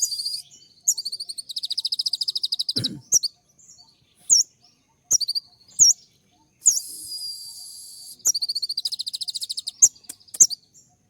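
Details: Sharp 'tembakan' song of a kolibri ninja sunbird, full of filler phrases: long rapid high trills of evenly spaced notes, a buzzy hissing rattle, and scattered piercing upslurred chirps between them.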